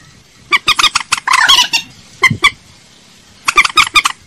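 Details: Quick run of clipped common moorhen clucks leading into a harsh, rasping burst, then a pause, a pair of clucks, silence, and a final group of rapid notes; used as a lure call.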